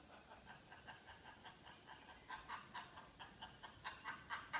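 A macaw gives a rapid, laugh-like string of harsh 'ha-ha' notes, about four per second, growing louder toward the end in a quiet room.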